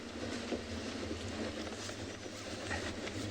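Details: A vehicle engine rumbles low and steady under a wash of broadband noise, with no clear calls above it.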